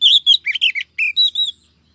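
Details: Oriental magpie-robin female, calling to provoke males and bring them in quickly: a rapid run of short chirps and chattering notes, varied in pitch, ending in two clean, slightly arched whistles.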